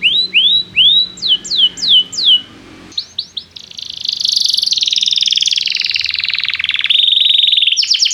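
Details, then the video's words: Canary song meant to encourage young canaries to learn singing: looping rising whistles at a steady pace, a short pause, then a long dense buzzy trill that sweeps down and levels off. "Kenari gAcorr cuit cuit emosi, Pancingan untuk kenari Paud belajar bunyi"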